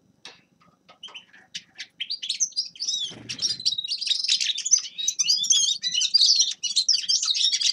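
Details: Grey-crowned goldfinch starting with scattered sharp ticks, then breaking into a long, rich run of high twittering and trilled notes.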